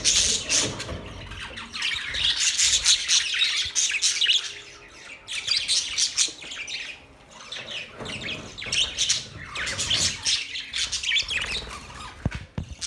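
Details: Parrots chirp and squawk in long dense spells, grating, high and rapid, broken by a couple of quieter gaps and ending with a few sharp clicks.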